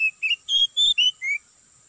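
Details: Short phrase of six clear whistled notes from an Oriental magpie-robin lure recording for trapping in an oil palm plantation, the notes shifting up and then down in pitch.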